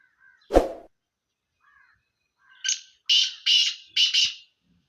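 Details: Sindhi black francolin (kala teetar) calling: after a single low thump, a harsh, grating series of four rasping notes follows, rising in loudness. Faint soft chirps of another bird sit in the quiet stretch before.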